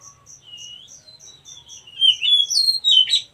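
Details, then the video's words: Wild oriental magpie-robin: soft repeated high chips lead to a drawn-out whistle, then a loud, sweet cascade of warbled and slurred notes. "KACER MACET TOTAL dan SETRES pasti akan PULIH dan NYAUT dengan dimasteri KACER ALAM ini"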